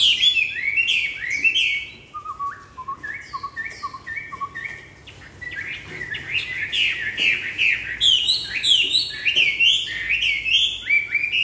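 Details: An old, tame, wild-caught Chinese hwamei with tail feathers lost in transport sings at home on the afternoon it arrived, after resting two hours and being bathed. Loud, varied whistled phrases, some slurred notes repeated in quick series, rising and falling.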